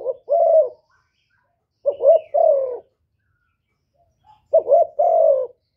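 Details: Spotted dove coos used to rouse males, given as three separate phrases with long silent gaps. Each opens with a short rising note and ends in a longer, gently falling coo, in quiet surroundings.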